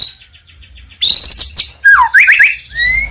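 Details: White-rumped shama song meant to provoke rival birds: soft repeated notes, then a loud burst of high whistles, a swooping downslurred note and quick trilled phrases.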